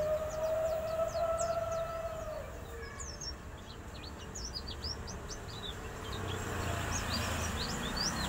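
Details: Oriental white-eye singing energetically: rapid, very high, thin chirps and twitters, with a steady siren-like tone through the first seconds over constant background noise.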